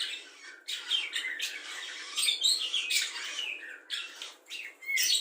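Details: Budgerigar delivering a continuous chattering song full of imitations of the red-whiskered bulbul, the white-eye, the laughing lovebird and sparring sparrows; raspy warbles mixed with thin whistles and quick chirps.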